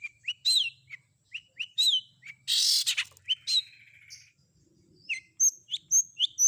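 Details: Long-tailed shrike fill-in combination song meant to draw answers from other shrikes: varied short whistles and downslurred notes, a harsh rasping burst lasting about half a second, then thin high whistled notes repeated several times.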